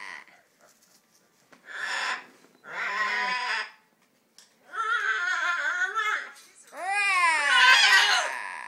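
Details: Pet macaw attempting to mimic speech, apparently "hello": four raspy, fuzzy, speech-like phrases of about a second each, the last rising into a harsh, wavering squawk, in a small quiet room.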